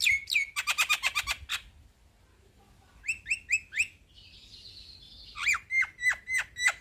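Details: Male black-winged starling in a long rolling song: a fast rattling run of harsh notes, a pause, a few rising whistled notes, a buzzy smear, then repeated sharp downslurred whistles about every half second.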